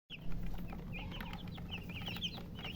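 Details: Baby chickens chirping in a brief burst of high, arched peeps that overlap each other, set over a steady low hum and background rumble.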